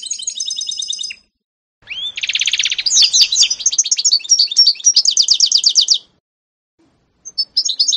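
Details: A 2018 canary-goldfinch mule sings high twittering phrases, a buzzy burst and rapid rolling trills, pausing briefly between bursts of song.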